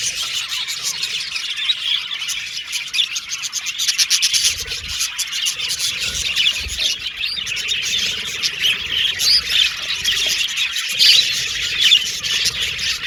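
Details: Pet Australian budgies whistle, chatter and sing in a long continuous chorus of high, raspy warbling and rapid ticking chirps that swells and eases.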